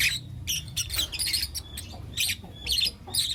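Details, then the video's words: Four young lutino lovebirds chirping in the morning; scattered bursts of shrill squeaky chirps separated by short gaps, over a faint low hum. "Lutino LoveBird Chirping Sounds"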